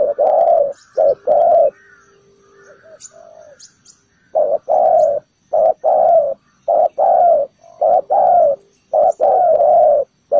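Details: Decoy spotted dove at a ground trap, calling to lure birds: loud deep coos, a quieter murmuring pause of about two seconds, then a regular run of paired short and long coos.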